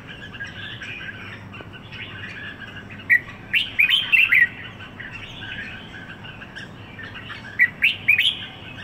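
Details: Red-whiskered bulbul (Merbah Jambul) singing in Singapore after one week there: after a quiet start, a lively burst of sharp, bubbling chirps, a lull, then a shorter repeat phrase.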